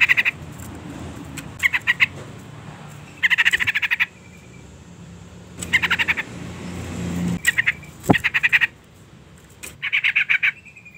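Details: Female yellow-vented bulbul calling to the male, used to stir a reluctant male into singing: short bursts of fast pulsed chatter repeated several times, each a second or less, over a steady low background hum and an occasional click.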